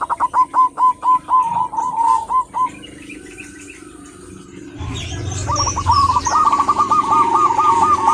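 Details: Local zebra dove hen calling for a male: a crisp run of pulsed coo notes, a quiet gap of several seconds, then a louder rippling series of coos over rising background noise.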